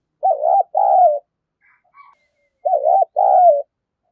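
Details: Spotted dove used as a lure bird, singing in the 'giọng đồng pha' voice style to provoke rivals into fighting: two pairs of deep, mellow, rolling coos, each phrase a quick stuttered note then a longer falling one, separated by a short pause.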